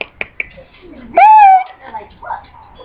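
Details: A 6-year-old male pet double yellow-headed amazon, a talking parrot that mimics words and sounds, gives a loud, drawn-out, voice-like note lasting about half a second after a few soft clicks, with faint human voices nearby.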